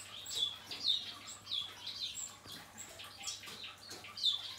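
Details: Short high chirps from a male painted bunting following its moult, irregularly spaced with a quieter gap in the middle, over a faint background hum.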